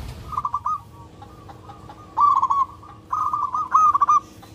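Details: Local zebra dove calling for a mate: a faint trilled phrase, then two loud, bubbling, rolling coos, with quieter notes between and a soft hum behind.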